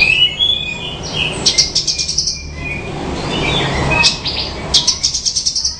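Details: Bushlark known locally as branjangan, giving melodious song with a fast rattling series of high clicky notes, a pause, then another quick rattle of about a dozen notes, over low rumbling.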